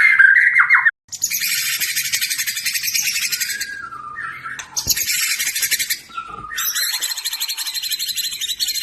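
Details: White-rumped shama of the Medan variety singing: a loud whistled opening note, then long dense buzzy, rattling trills in three bursts with short pauses between them.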